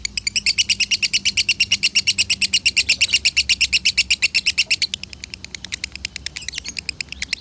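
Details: Konslet-style lovebird song from Salatiga, Indonesia, used as masteran training: loud, rapid, evenly pulsed high chirps, about six per second, held for five seconds before carrying on more softly, with a faint low hum beneath.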